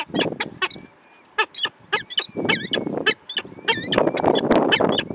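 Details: Two peregrine falcon chicks at their nest in Wakefield, recorded 29 April 2021 in mid-afternoon: harsh, rapid bursts of chattering calls, clustered and irregular, with low rumbling noise and thin, faint whistles from other birds behind.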